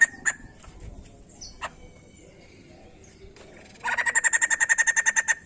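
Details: White-crested laughingthrush, played to encourage other birds to sing: a few scattered single notes at first, then a rapid, even run of sharp chattering notes filling the last one and a half seconds.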